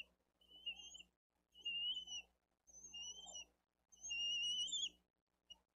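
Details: Bald eagle chick begging at its nest, Dade County live cam, April 2023, while the adult female feeds the eldest chick fish. Four drawn-out high wavering whistles, about a second apart, the last longest and strongest, over a murmuring background.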